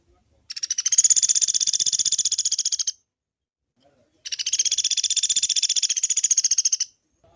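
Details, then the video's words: Sunda pygmy woodpecker, locally pelatuk beras, recorded as a long rolling training song for caged birds: two high, buzzy, rapidly pulsed trills of about two and a half seconds each, separated by a short silence. "SUARA MASTERAN BURUNG PELATUK GACOR"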